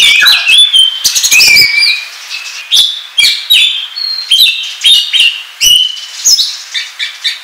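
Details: Oriental magpie-robin singing the ngobra style used to lure birds into traps: a rapid run of sharp notes and a whistle, then spaced whistled phrases and chirps roughly every half second.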